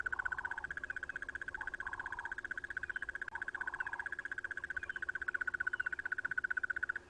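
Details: Wild crested barbet making its trilling brrrr, a fast, even, mechanical-sounding pulse train that runs unbroken for seven seconds. Short lower hums from another source are heard in the background.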